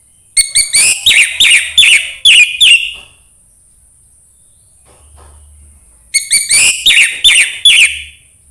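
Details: Orange-headed thrush song, played to coax a reluctant bird into singing: two bursts of rich, rapid whistled and chattering phrases, mostly high-pitched, separated by a few seconds of quiet, with a faint steady high hiss throughout.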